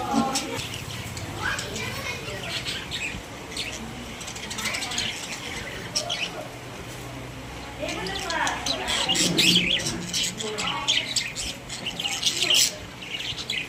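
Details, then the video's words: Pet budgerigars in their cage chattering busily: warbled sliding notes, rapid high chirps and squeaks repeating several times a second, rising in intensity near the end. "My Happy Budgies | Spreading Love in the Cage"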